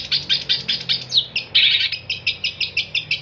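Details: Long-tailed shrike (cendet), recorded as a 'gacor' tutor song for songbirds: fast evenly repeated harsh chips, a short descending slur, a scratchy buzz, then more rapid regular chips.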